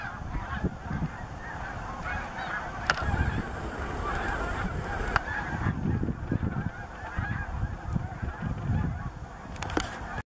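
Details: Massed snow geese honking together at Bombay Hook National Wildlife Refuge, March 12, 2017, a steady roar of overlapping nasal calls with a few sharper notes standing out.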